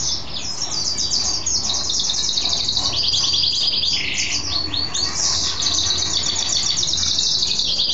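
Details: Happy male mule goldfinch singing after taking a bath, in captivity; loud continuous high warbling with buzzy trills and one lower whistled note midway, little background noise.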